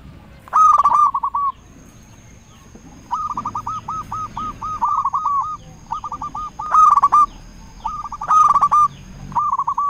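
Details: Local zebra dove calling as a lure to make rival doves answer: bursts of rapid, evenly pulsed cooing notes, each series lasting about a second, repeated with short gaps, with sharp clicking sounds and a steady background hum.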